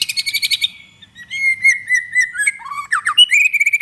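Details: White-rumped shama in full song, used as a lure to provoke other shamas to sing: a burst of rapid buzzy trills, then long clear whistled notes, rising and falling, ending in quick chirped phrases.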